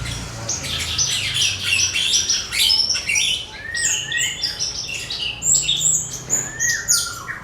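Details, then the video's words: Javan bush lark in full song, used as a lesson recording for other birds: a rich jumble of rapid chirps, buzzes and quick slurred whistles without a fixed rhythm. "MASTERAN BRANJANGAN BIKIN SEMUA JENIS BURUNG BUKA PARUH"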